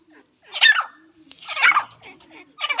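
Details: Female grey francolin (teetar), a kept bird, giving three harsh, scratchy bursts of calling about a second apart, with a faint low hum between them.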